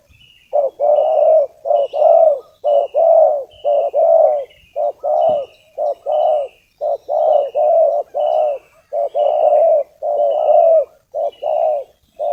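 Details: Spotted dove calling to lure wild doves for trapping: a dense, almost continuous series of low, mellow coos, short clipped notes mixed with longer ones, over a row of faint, thin, high descending whistles from another bird.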